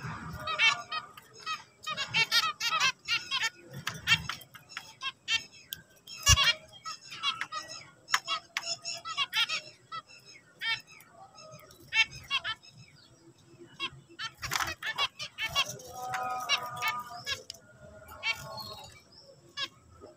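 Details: Zebra finches singing; a busy chorus of short nasal, buzzy notes and rapid chattering phrases overlapping throughout, with several birds calling at once and no clear pauses.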